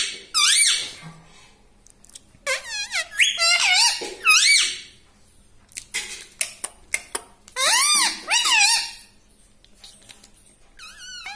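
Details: A talking pet parrot chatters in an irregular stream of loud, raspy, swooping syllables and warbles, broken by sharp clicks and short pauses, ending with a single higher note.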